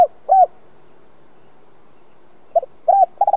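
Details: Spotted dove of the two-ending 'giọng đồng' type, used to stimulate decoy birds, gives scattered hollow arched coos separated by a long pause, then the stuttering start of a rolled phrase.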